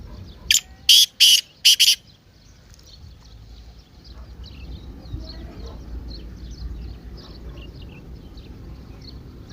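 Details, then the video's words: Partridge (teetar) in excited 'masti' calling, intended to wake a silent partridge: four loud, scratchy, buzzy notes in about one and a half seconds, followed by soft background chirps and low rumble. "تیتر کی مستی والی آواز:اب خاموش تیتر بھی بولے گا"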